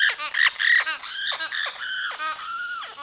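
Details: Spring vocalizing by a female amazon parrot: choppy, raspy notes and short nasal bursts, then a longer steady call that drops at the end.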